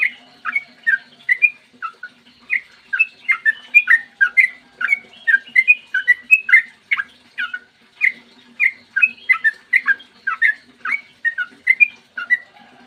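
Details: Extended 'ropel panjang' morning song of a yellow-vented bulbul, meant to provoke other bulbuls into singing. Long, dense runs of chattering, slurred whistles, broken by one brief pause midway.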